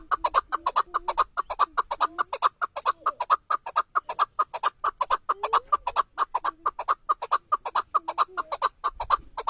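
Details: Male chukar partridge used as a hunting decoy, calling in a continuous fast run of hoarse chuk notes, roughly two to three a second, interspersed with low drawn-out grating slurs.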